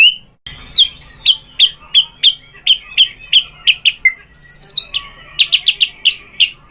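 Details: White-rumped shama sounds used to get other shamas to answer; a series of sharp, clicking whistled notes about three per second, a brief high buzzy flourish, then quicker chips, over a faint low hum.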